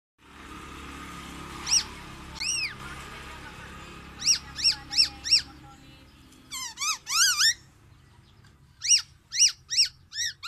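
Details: Tame black-naped oriole, described as loud and distinctive, giving bright, nasal, arching notes: two single calls, then a quick run of four, a jumbled burst of rising notes, and four more at the end, over a faint steady hum.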